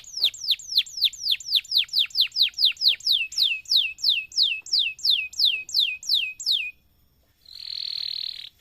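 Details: Canary in long song, used to stimulate other canaries: a steady series of down-slurred whistled notes, about three per second and slowing, a short pause, then a buzzy roll.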